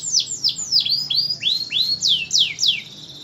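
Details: Canary song in a short phrase of loud, clear downward-sweeping whistles, about nine notes repeated roughly every third of a second, with a low background hum.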